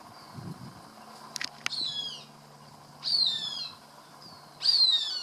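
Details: A Cooper's hawk, apparently voicing pleasure while eating a caught rat near a garage, gives three thin, high, whining calls that slide downward, about a second or more apart, after a couple of sharp clicks.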